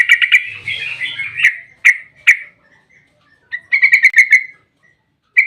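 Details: Yellow-vented bulbul singing a long 'ropel' song intended to lure other bulbuls: a jumbled chattering run, three spaced sharp chirps, silence, then a tight rattling trill and one final note.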